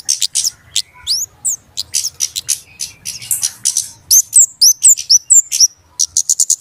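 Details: Flowerpecker lure call for trapping birds, sparser here. Separate sharp high chips and upswept whistles come in uneven bursts, with a clear series of hooked whistles, then quick ticks at the end.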